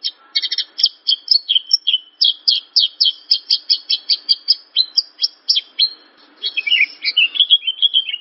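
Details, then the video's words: Javan bush lark tutor song for training cage birds: a steady run of sharp, repeated chirped notes, about three each second, followed by a quick warbled, tumbling phrase with slurred whistles at the end. "Masteran Branjangan!!"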